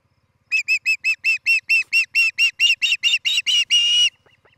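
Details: Nest-cam recording of an Osprey at a Charlo, Montana nest, 11 July 2018, morning: a steady string of about fifteen piercing whistled chirps, roughly two per second, building to one long drawn-out note, then a few faint clicks.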